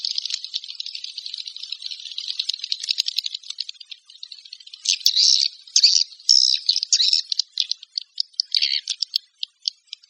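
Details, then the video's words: Swiftlet call: an even, rapid twittering rattle gives way to separate loud scratchy bursts and isolated sharp clicks in the second half. "Suara Walet Panggil"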